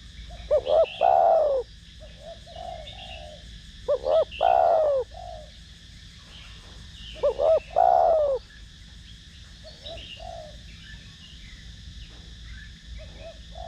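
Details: Spotted dove in the 'thổ đồng' song style, kept to lure and stimulate decoy doves. The same three-note cooing phrase repeats three times, roughly every three seconds, with soft intermediate coos and faint high chirps in the background.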